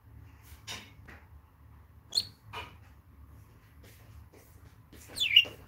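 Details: Pet budgerigars indoors, a male with his mother, give two sharp, high chirps: a brief one near the two-second mark, then a longer, twisting warble that sweeps up and down near the end, over a faint low room hum.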